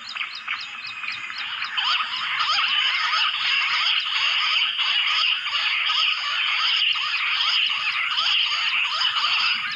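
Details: Wild bush quail in jungle, drawn in by calls played from a mobile phone: a dense, continuous chorus of high, overlapping chattering and squeaky notes with no pause, plus a faint steady ticking.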